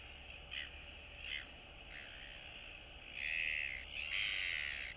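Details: Royal albatross chicks in a colony greeting one another on 9 September 2022, one a younger chick still downy on the neck and chest; three soft short calls, then two louder, longer harsh calls, over steady background hum.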